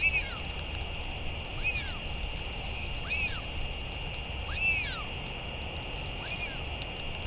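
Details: Northern royal albatross return and feeding, 31 May 2023: five loud arched calls, each sweeping up and down, repeated about every 1.5 seconds above a steady tonal hum and low rumble.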